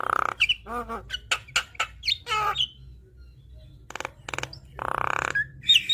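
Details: Lively Javan myna song rich in varied phrases, meant to prompt a reluctant bird to sing. It has a mix of harsh rasps, stacked nasal notes, sharp clicks and a grating buzz, with pauses between bursts.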